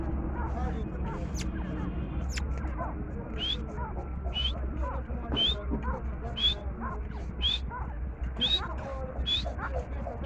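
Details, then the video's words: Grey francolin calling: short, shrill rising notes about once a second over a steady low rumble and background murmur. "Gray Francolin Awaz"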